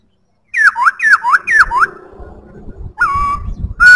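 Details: Black-throated laughingthrush singing loudly: three quick slurred whistles, each dipping then rising, then a pause with soft low background noise, followed by a sustained level whistle and a final rising note.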